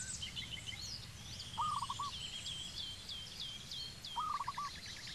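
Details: In Cambodia, a zebra dove utters two brief, low, stuttering coo phrases a few seconds apart, each of several quick beats, while other small birds twitter and trill steadily at a much higher pitch.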